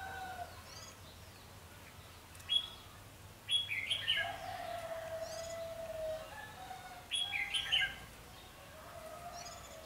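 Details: During a decoy trapping session with a wing-clipped bird on 14 March 2016, a red-whiskered bulbul gives two short, chirpy warbled phrases about three seconds apart, with a lower drawn-out note and quiet background chirps.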